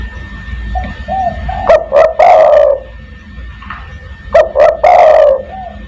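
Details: Spotted dove cooing for luring other doves, 'kuk 1' pattern: two phrases spaced about two and a half seconds apart, each two short notes then a long drawn coo, with soft coos between and a thin steady whine.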